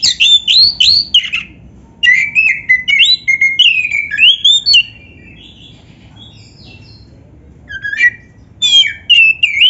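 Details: Oriental magpie-robin in full song, used to provoke caged birds into answering: loud, varied whistled phrases with sliding notes and quick trills, split by a silent pause, over a low background hum.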